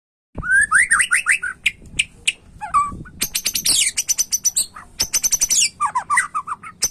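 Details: White-rumped shama singing a rich, varied song: upward-sweeping clear whistles, then rapid bursts of sharp, high, buzzy notes and trills, with phrases changing every second or so.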